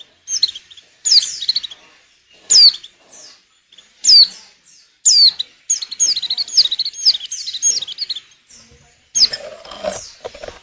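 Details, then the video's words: Breeding-condition female white-eye, whose calls prompt males to sing for luring, giving bursts of high, thin downslurred chirps in irregular clusters, some runs stretched into quick twittering, with brief gaps between bursts. "Suara burung pleci betina_pacingan birahi _jantan agar mau bunyi bagus buat pikat."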